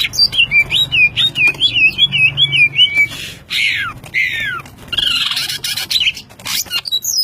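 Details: Greater green leafbird, a lively caged singer, delivering a rapid run of high wavering whistles followed by sweeping buzzy and scratchy phrases, with steady low background hum.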